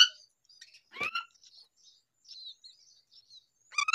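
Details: Baby myna calling out of hunger: scattered thin, high chirps and twitters, one sharper downward call near the start and a louder harsh note at the end, with quiet gaps in between.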